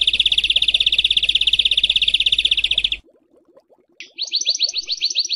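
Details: Songbird in besetan training audio for house and contest birds: a continuous harsh high buzzing rattle, a short silence with faint low ticks, then a rapid rough trill of repeated slurred notes.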